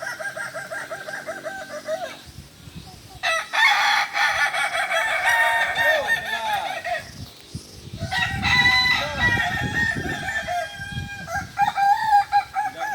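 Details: Several Kukuak Balenggek cocks crowing at a group training session in Ampang Kualo, Solok: long, multi-part crows overlap, with one tailing off and another starting, plus scattered knocking and rustling sounds below.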